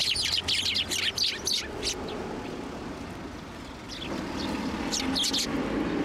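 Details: Sparrows coming onto a hand to be fed at a Tenmangu shrine, 1 January 2024: a rapid flurry of chirps at first, then a lull, then a few more chirps, with low background rumble.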